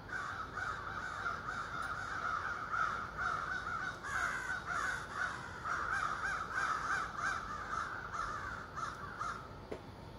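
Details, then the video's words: Ravens greeting the morning from trees across a street; a long, dense stream of overlapping raspy caws from many birds, fading near the end. "morning wake up call with ravens"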